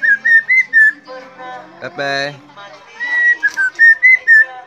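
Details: Pet helmeted friarbird, chatty and showing off, whistling steadily while teased: runs of short, clear whistled notes at an even pitch, about two per second, broken midway by a harsh, rasping burst before the whistled series resumes.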